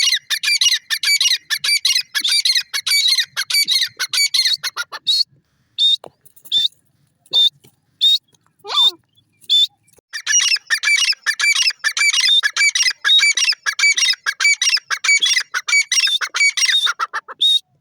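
Grey francolin giving loud, shrill, harsh notes in rapid repeated bursts.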